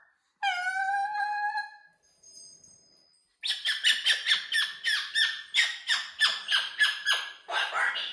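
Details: Pet cockatoo lets out a long, wavering, strongly harmonic screech. After a pause it gives a fast run of rough, rhythmic squawks, several each second, indoors.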